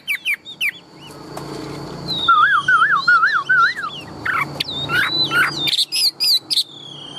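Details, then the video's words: Chinese hwamei, tame and caged, a big bird said to sing very loudly and to fight well: a wavering, rolling whistled trill in a lower pitch, then scattered sharp high whistles and slurs over faint background hum. "Chim họa mi thuần - Bộ To - Hót hét rất tốt"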